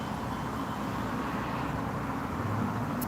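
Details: Steady low rumble of passing road traffic outdoors, with no animal call heard.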